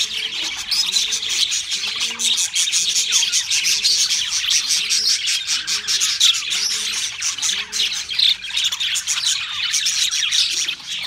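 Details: Steady chorus of pet budgerigars twittering and warbling in high scratchy chatter, with a low rolling coo repeating roughly every second underneath.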